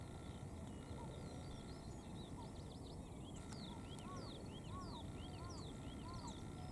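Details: Male Siberian rubythroat heard from a cycling road, delivering a sustained string of arched, slurred whistles, alternating lower and higher notes in quick succession against a constant low hum.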